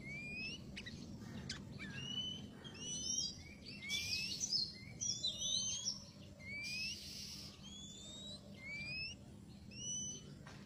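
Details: Oriental magpie-robin song used as a lure for trapping: varied whistled phrases, rising sweeps and sharp chirps repeated irregularly, with steady low background hum throughout.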